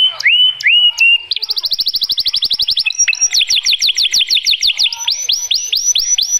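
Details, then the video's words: Belgian canary sings a fast, high song of rising whistles, a rapid buzzy trill, then a run of repeated upslurred notes, bright and continuous; the song is used to excite females and teach young birds. "تغريد كناري نار لتهييج الاناث وتلقين الصغار"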